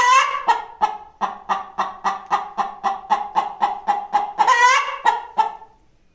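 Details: Free-range hen giving rapid, regular clucks about four per second, each a short harmonic note; a louder, drawn-out cackle near the start and another before the end, with the series fading out in the last second.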